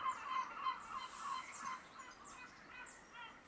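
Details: Great crested grebe giving a rapid run of harsh, nasal, reedy notes at mid pitch, several per second, loudest at the start and tapering off, with faint thin chirps of other birds in the background.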